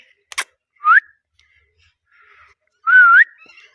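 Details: Indian ringneck (rose-ringed parakeet) kept as a pet gives two clear whistled notes about two seconds apart, each dipping then sliding upward, after a brief sharp click; a small room is otherwise quiet.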